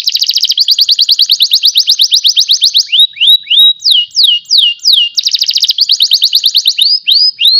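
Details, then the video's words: Panda canary, a caged pet bird from Pemalang, Central Java, Indonesia, sings fast buzzy rolled trills, then a series of sliding downward-swept whistles, then another rapid rattling tour ending in rising slurred notes; no other sounds. "Kenari Panda Terlalu Ganteng"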